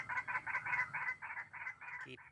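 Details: White-breasted waterhen heard during trapping with a hanging snare trap: a quick run of about nine harsh, nasal croaks, ending in a short, different squeak.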